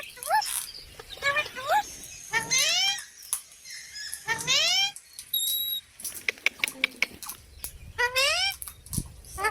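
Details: Parrot voicing several strong upward-sweeping harmonic squawks and shorter chirps throughout, with sharp clicks and a brief high tone in between.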